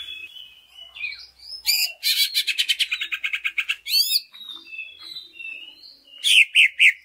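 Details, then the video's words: Lure song of a greater green leafbird, meant to prompt other leafbirds to sing: soft whistles, then a loud rapid buzzy trill of repeated notes, sweeping chirps, quieter warbling, and three sharp closing notes. "Pancingan Cucak Ijo Sangat Ampuh Untuk Menaikan Mental Ijo Lain Agar Mau Jamtrok Bongkar Isian"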